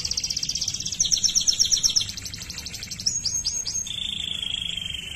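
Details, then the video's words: Waterslager canary: rapid bubbling trill, then a run of louder pulsed notes, a few quick upward slurs, and a closing level whistled tone with a fine rapid flutter. "Canario Waterslager Canto || A música mais poderosa de Canary"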